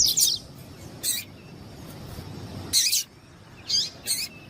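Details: Double-collared seedeater female calling to excite the male: five loud, harsh, short chip notes spread unevenly over a few seconds, with a low rumbling background noise between them.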